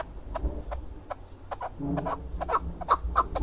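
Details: A male chukar kept for hunting, Darvoz, Tajikistan, 2020: scattered short chuck notes that grow louder and closer together toward the end, over a low background rumble.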